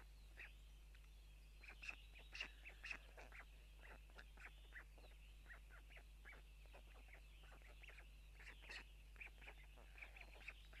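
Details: White storks at a nest camera in Tukums, Latvia, on June 12 at 04:54, both parents arriving and dropping food for the chicks; short rasping bursts in an uneven series, about two per second, over faint steady whistling in the background.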